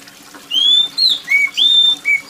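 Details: Loud, high oriental magpie-robin song of five clear whistles, long level notes alternating with short slurs, spaced about half a second apart, with faint rain in the background.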